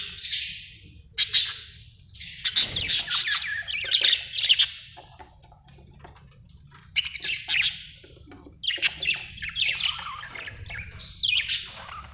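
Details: Budgerigars giving busy chirping: sharp squawky notes and rapid warbled chatter in repeated bursts, with short quiet gaps and a low background hum.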